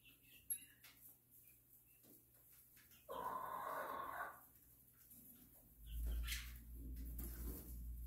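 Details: Silkie rooster giving a single harsh, drawn-out crow lasting a little over a second, loud and hoarse, set against a quiet background with scattered clicks, a steady low hum and a burst of low rumbling noise near the end.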